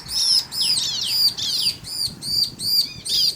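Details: Bar-winged prinia (ciblek) male and female answering each other, used to provoke other birds into singing; high arched notes repeated about two and a half times per second alternating with descending buzzy sweeps, faint low hum beneath.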